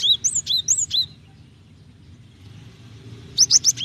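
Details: Java sparrow hen calling the male to provoke song, giving a burst of sharp high whistled chirps with rising and falling notes, a pause of low hum, then another quick chirping burst.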